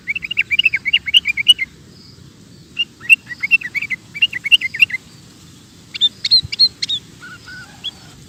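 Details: Sooty-headed bulbul in the vocal 'ropel gacor' style: quick bubbly phrases of five or six warbled notes run together over about five seconds, then a brief pause and a few higher, sharper notes with two short lower whistles.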